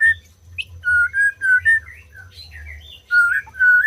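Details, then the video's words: White-rumped shama song for encouraging quiet birds to sing: pure level whistles, one held for about half a second, then softer twittering notes, before the strong whistles return at the end. "SUARA MURAI BATU BUAT BURUNG MACET BUNYI"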